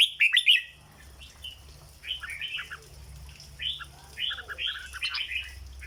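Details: Red-whiskered bulbul kept as a cage bird, giving its 'dok' style song. A sharp loud burst opens, then bright warbled phrases that rise and fall come in short groups over a faint low hum.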